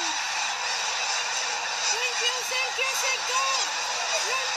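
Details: Snow geese, a flock of about 300,000, taking off together from Middle Creek lake, giving many short, arched honks over a dense, roaring wash of wings and distant calls from the flock.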